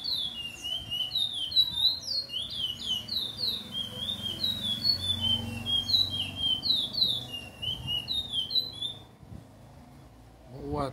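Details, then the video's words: Chestnut-bellied seed finch (curió) giving a slow song in the late afternoon, 8 September 2022: rapid run of sweet whistled notes, some rising and some falling, about four per second, stopping near the end before a brief low thump. "CURIÓ E SUA BELÍSSIMAS NOTAS!"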